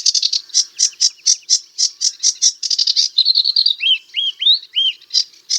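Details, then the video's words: Buzzy repeated chirps from a sedge warbler, then a quick stuttering rattle, followed by several clear whistled slurs that rise and fall, each arched note spaced about half a second apart. "Sedge Warbler - Songs"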